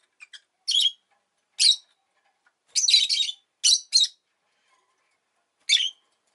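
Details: Pet rosy-faced lovebird producing piercing shrill chirps, singly and in a rapid double and triple, spaced irregularly across a quiet background.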